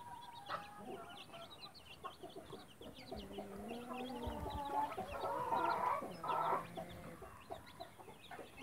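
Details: Backyard mother hen with chicks: soft low clucks and murmuring tones rising in the middle, scattered high chick peeps throughout, over a quiet low background.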